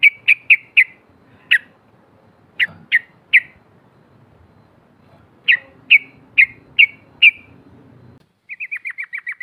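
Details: Female sooty-headed bulbul calling to provoke rivals, 'cok cok': sharp loud chips in groups of three to five spaced by pauses, ending in a fast run of softer repeated notes.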